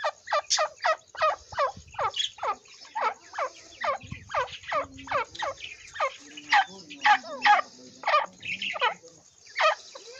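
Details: Grey francolin calling: loud, harsh, sharply pulsed notes repeated about twice a second in a steady series, with faint lower chattering in the background.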